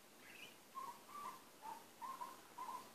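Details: Butcherbird singing softly to himself: one higher note, then a series of short, clear, mid-pitched whistles, spaced about half a second apart, in near silence.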